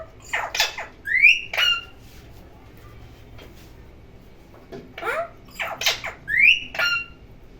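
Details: Parrot making noise indoors: harsh, raspy squawks mixed with sharp rising whistles in two short bursts, separated by a quiet pause of about two seconds.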